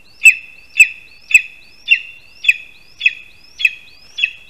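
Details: Lesser spotted eagle at a Latvian spruce nest on 22 August 2021, around 1:38 PM, during a rat prey handover; sharp, high yelps repeat at a steady half-second pace, each with a short rising tail.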